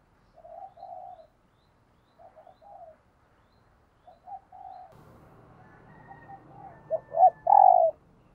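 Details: Spotted dove decoy cooing in the morning to call in wild doves: soft mid-pitched coo phrases come in short groups, then a louder, fuller run of coos near the end over a low rumbling background.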